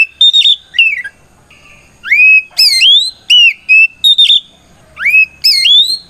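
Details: The kacer, or oriental magpie-robin, sings a provocative 'ngeplong' fight song used as a lure for other magpie-robins. It gives a short whistled phrase, a lull, then strong rising sweeps and level whistles repeated at roughly half-second intervals.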